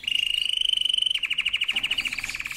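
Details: Canary song: a steady whistled trill gives way to a rapid series of pulsed notes that keep going at a similar pitch.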